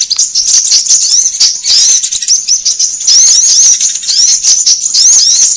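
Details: Sunbird lure sound used by bird trappers to draw birds together and to tutor caged birds: dense, high, thin chirps with quick rising and falling sweeps, overlapping almost without pause, with scattered dry clicks.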